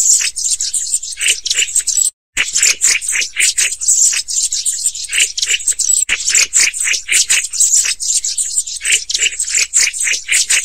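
Black-throated bushtits keep up a dense stream of very high, thin ticking and sibilant notes, with short rattling bursts, almost without pause.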